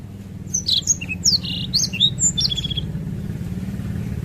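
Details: Black-throated canary in long song, a burst of high whistled and buzzy notes for about two seconds, then fading, with rumbling traffic or engine noise throughout.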